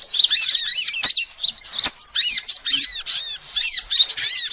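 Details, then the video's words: Rapid high chirping of a female sunbird, a call used to lure birds. Sharp arched notes are packed closely together, broken by brief pauses and two short clicks. "SUARA ASLI KOLIBRI BETINA"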